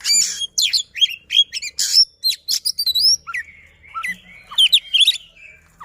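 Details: Oriental magpie-robin song meant to coax non-singing magpie-robins into song: rapid chattering, harsh rasps and sweet whistled upslurs and downslurs packed closely together, with a soft low hum underneath.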